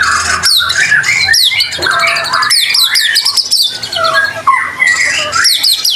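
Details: White-rumped shama singing vigorously to draw other shamas into song: mixed harsh squawky notes, fast buzzing trills and slurred whistles in a nearly unbroken, varied stream.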